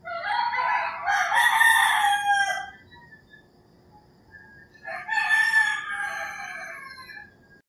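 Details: Early-morning roosters in the rural Philippines crow twice, each a loud, hoarse, harmonic crow lasting about two seconds, separated by a quiet gap with faint background calls.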